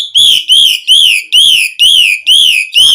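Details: Asian pied starling song meant to draw other starlings into singing: seven loud, even, arched whistles in steady rhythm, each rising then falling, with bright overtones.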